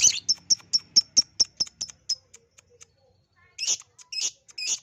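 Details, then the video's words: ['Lovebird lure recording meant to get lovebirds singing: a quick run of evenly spaced high, clipped chirps slowing and fading, followed by a few harsher, louder squeaky bursts.'] "pancingan ampuh love bird jadi bunyi"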